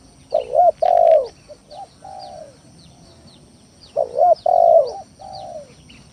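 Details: Lure recording of a spotted dove in full voice, meant to provoke rival doves: two bursts of deep rolling coos, loud then trailing into quieter drawn-out coos, over thin high bird chirps.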